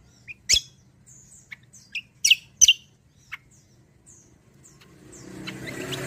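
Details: Kecial kombo singing, recorded as a lure and tutor song for songbirds: a few thin, high, scattered chirps and whistled notes, then rising hissy background noise toward the end.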